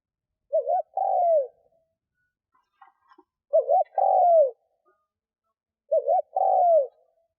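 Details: Decoy spotted dove calling to draw in wild doves: three low phrases, a wavering lead-in then a longer downslurred coo, with faint tapping sounds in the gap between the first two.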